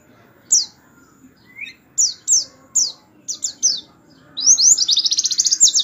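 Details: High, sharp descending chips from a canary, spaced irregularly, build into a fast shimmering trill at the end. The 'tembakan' song serves as a training model for white-eyes, with a soft low hum underneath.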